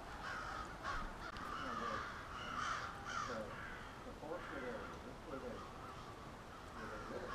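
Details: Nightly crow roost in suburban Halifax, Nova Scotia, where a flock keeps up a raucous, overlapping chorus of rough caws. Louder calls surge and fade over several seconds against a constant background of distant cawing.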